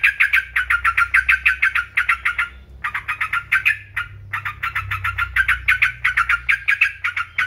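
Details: Yellow-vented bulbul chattering in quick, evenly spaced bright notes, about three per second, broken by two short gaps. A tutor and trigger recording meant to excite other birds to sing.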